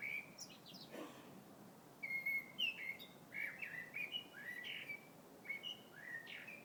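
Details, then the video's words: Bird singing outdoors in February, a run of short whistled notes, some rising and some falling, delivered in a quick uneven series after a brief noisy moment, with faint background hiss. "Vogel singt."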